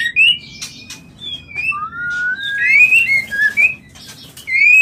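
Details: White-rumped shama mating call used to stimulate birds to breed: clear whistled notes gliding between low and high pitch, a long rising whistle in the middle, phrases separated by short pauses.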